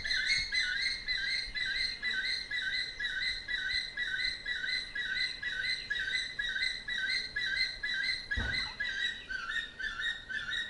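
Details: Male crowned eagle, 38 years old, at a sanctuary in Naivasha, Kenya, with sight restored after cataract surgery, gives the male's two-tone long call: high, ringing whistles, about two per second, steady throughout, with one dull thump near the end.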